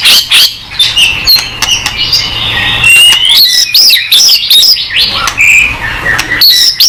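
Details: White-rumped shama in full, lively song, used to trigger other shamas into answering: rapid varied phrases of bright rising and falling whistles mixed with sharp clicks and harsh chattering notes, delivered almost continuously without pause.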